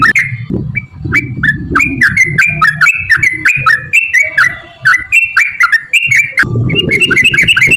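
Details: Sooty-headed bulbul song played as a lure for other bulbuls: quick series of whistled notes with sliding pitch, fast and somewhat irregular, over a constant low background rumble and some clicking.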